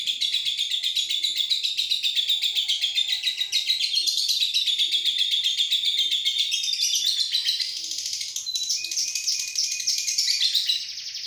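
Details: Lovebird song used as a lure for training birds: a dense, continuous stream of high chattering twitters and buzzy trills, unbroken and rapid throughout, with no other sounds.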